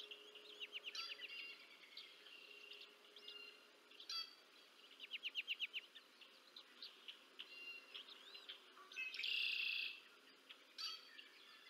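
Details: Bald eagle with two chicks at feeding time, Decorah North nest, 30 March 2024; scattered high chirps, then a run of about six quick harmonic piping notes, later a loud shrill squeal.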